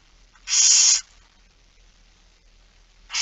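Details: Barn owl at a morning feeding, 06:57 on 13 September 2019, Netherlands: one loud rasping hissed screech, then a pause of two seconds before another begins.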